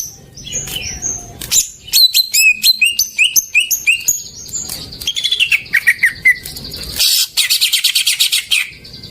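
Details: Greater green leafbird singing, meant as a lure to get silent birds singing: a lively, varied run of high whistles, quick upslurred notes and fast repeated chips, ending in a dense buzzy trill.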